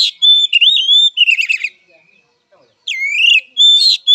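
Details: Fighting song of an oriental magpie-robin (kacer): sweeping whistled phrases alternate with harsh, rattling chatter, a brief quiet gap, then strong rising whistles resume.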